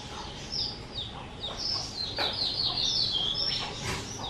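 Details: A captive two-year-old skylark, recorded 18 April 2023, pours out a rapid, high-pitched stream of twittering, warbled phrases without pause, over a faint steady background hum.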